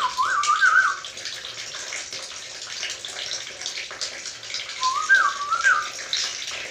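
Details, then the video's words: Black-capped lory, said to imitate human speech, giving two short warbled whistled phrases several seconds apart, surrounded by steady watery background noise. "Burung nuri kepala hitam bicara seperti manusia"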